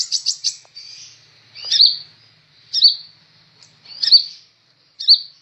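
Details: Kolibri ninja sunbird in energetic song used for tutoring birds: a quick run of three high chirps, then a faint thin trill and sharp piercing notes repeated roughly every second, clean background.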